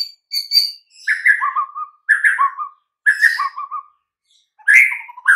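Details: White-rumped shama song used as a master recording to prompt silent, listless birds to sing: clear whistled phrases dropping from about two notes to lower fluting trills, with high thin notes above, in bursts separated by short pauses.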